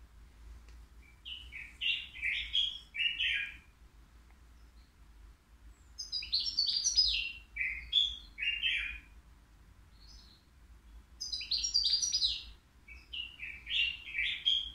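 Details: Three-year-old caged European goldfinch from the Al-Qurai'a bird market, said to sing without mistakes, delivers three separate phrases of rapid tinkling twitters and buzzes, each about two seconds long with quiet gaps between.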